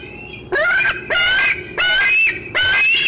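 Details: Eaglet of a bald eagle pair squeeing at the nest, 25 June 2013, 4:45 pm, while an adult eats fish nearby: four loud, piercing, upslurred squeals in quick succession.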